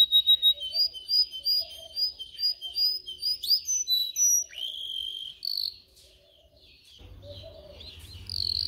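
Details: Canary song meant for training canaries to sing, opening with a rapid series of short, evenly spaced chirping notes, followed by bright sliding whistles and a buzzy burst before a brief quiet spell and a low hum.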